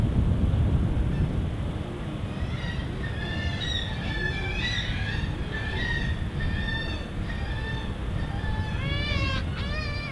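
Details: Black-legged kittiwakes at a nesting colony on Mumbles Pier, Swansea, South Wales, UK: overlapping harmonic, nasal calls repeated rapidly, ending in a burst of loud wavering cries, over steady low wind and sea rumble.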